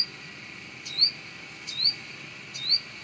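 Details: Brown-throated sunbird singing vigorously near its nest in a house area: three short upslurred chirps, each a thin rising sweep, spaced just under a second apart over soft background hiss.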